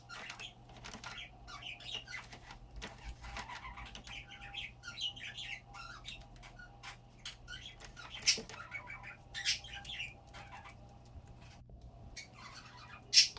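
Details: A budgerigar tangled among cables gives soft, scattered chirps and warbling chatter, with a few sharp clicks and flutters.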